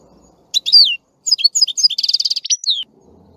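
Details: Singing European goldfinch delivering a rapid, liquid phrase of tinkling chirps and twitters that runs into a fast buzzy trill, ending on a downslurred whistle, with faint low background hum.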